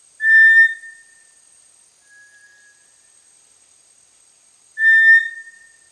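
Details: Small dark brownish-gray tinamou of tropical lowland rainforest understory, along streams and dense undergrowth: two loud, short, flat whistles at a steady mid pitch, about four seconds apart, with silence between.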